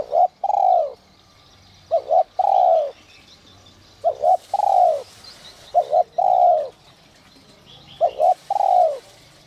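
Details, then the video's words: Spotted dove calling in 'giọng còi' whistle voice to spur wild doves: five evenly spaced phrases, each a brief double note then a long falling coo, about every two seconds, with scattered high chirps behind. "Chim cu gáy GIỌNG CÒI te te kích bổi cực sung, giọng nhạy bổi kích cu gáy bổi nhanh gáy"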